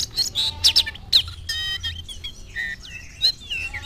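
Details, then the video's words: Oriental magpie-robin confronting a rival, singing loud piercing chips followed by a buzzy harmonic rattle and softer wavering whistles, with a low hum behind. "KACER GACOR LIAT LAWAN LANGSUNG NGOBRA"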